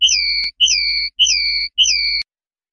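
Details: Clean 'limpio' song of a common linnet from a 2019/2020 training CD: four pure, downward-gliding whistles in a steady series, each about half a second long, with brief clicks and a soft low hum beneath.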